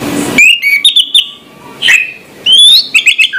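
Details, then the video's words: Orange-headed thrush, morning song: bright slurred whistles and quick chirping notes in two bursts with a pause between them. "suara anis merah plong pagi hari"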